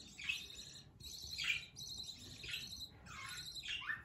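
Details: A female budgerigar with eggs in a garden aviary at Mt Macedon, 10 November 2023, gives harsh, scratchy chattering bursts, roughly one per second.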